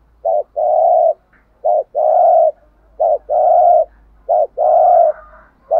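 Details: Decoy spotted dove giving thúc gù cooing: a short low note followed by a long, steady, mellow coo, the phrase repeated about every 1.3 seconds, four phrases with clean quiet gaps between them.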